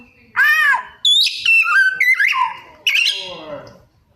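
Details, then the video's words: Oriental magpie-robin performing borrowed phrases in a mimicry-rich song: a bright curving whistle, then a rapid chain of clipped notes and a falling harsh chattering sweep at the end. "Suara Kacer Gacor Rajin Bongkar Isian"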